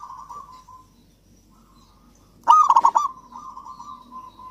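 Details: Local zebra dove song, played to get sluggish doves singing: a faint purring trill fades out, then after a pause a loud burst of rapid knocking coos gives way to a sustained soft trill.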